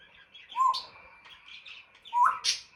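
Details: Pet African grey parrot indoors making its playful imitations: two sharp squeals, each opening on a short whistled note and then bursting into a bright, rasping upper sound, about one and a half seconds apart, with soft clicks between them.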